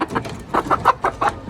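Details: Newly hatched chickens on a rooftop, said to look like vultures; short, sharp peeps repeated roughly every fifth of a second over a faint background hiss.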